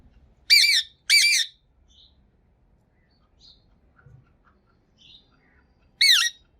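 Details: Pakistani green talking parrot, kept as a pet and known for speaking Urdu, gives two harsh, harmonic squawks in quick succession, then a third after a long pause; only faint soft indoor sounds between.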